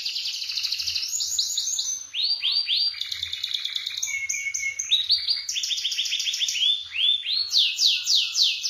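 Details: Canary singing vigorously in a rolling, high-shooting style used as tutor song: a varied, unbroken run of rapid high trills, bursts of swooping downslurred notes, and a brief steady whistle mid-phrase.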